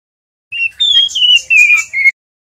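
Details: Juvenile male white-rumped shama learning to sing ngeriwik: a single continuous phrase of clear whistled notes stepping gently downward, overlaid with fainter high twittering.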